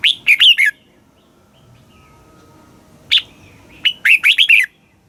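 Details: Red-whiskered bulbul in Thailand singing in the southern master style, played to rouse caged birds: three short phrases of clear, warbling whistles, each beginning with a sharp note and running into rapid rolling syllables, with gaps between.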